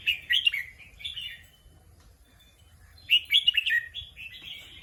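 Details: Red-whiskered bulbul kept as a competition bird in Thailand, giving two short bursts of bright, warbled whistles separated by a quiet pause of about two seconds.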